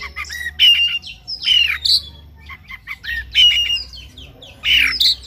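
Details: Oriental magpie-robin in morning song, used as a lure to stimulate another bird to sing. Loud varied whistles and harsh rasping phrases come in bursts about every second and a half, over a low hum.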